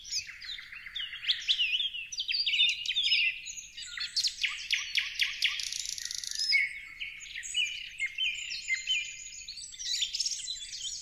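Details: Busy flock of parrots: overlapping raspy squawks and clipped chirps pour out without pause, some notes sliding down, forming a thick, chattering high-pitched wall of sound.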